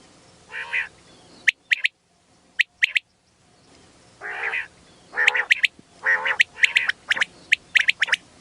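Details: Female quail calling: short bursts of harsh, buzzy notes around one to three kilohertz alternate with sharp high clicks, irregular and repeated in quick clusters, with pauses of near silence between.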